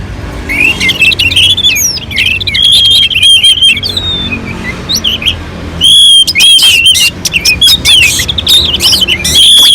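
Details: Orange-headed thrush on a mountain slope, its song used to provoke other birds into singing: loud, varied bursts of high whistled phrases and rapid chirps with a short lull mid-way before dense singing resumes; faint low rumble in background.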